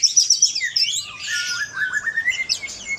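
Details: White-rumped shama singing in full voice, used as a lure to provoke other shamas into song: a rapid tumble of high whistled slurs and sharp chirps, then lower rising whistles sweeping upward near the end.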